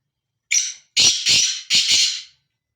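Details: Black francolin roaming free, giving its harsh call: one brief scratchy note followed by three loud, buzzy, grating phrases, with quiet all around.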